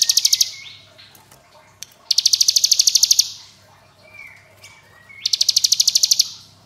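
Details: Ngebren song of a hill prinia, called ciblek gunung and dubbed AK47: three rattling bursts of fast, evenly pulsed high trills about a second long, with quiet gaps and faint thin whistles between them.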